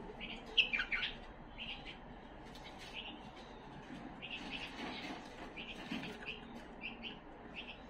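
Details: A tame Himalayan bulbul giving bright, chirpy warbled phrases in short bursts, with a louder jumble near the start; faint background hum throughout.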